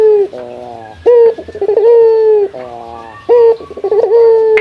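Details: Male local puter dove calling out to a rival on a morning recording: a deep, sustained, resonant coo repeated in long phrases, each opening with a rolling stutter before settling into a drawn-out even tone.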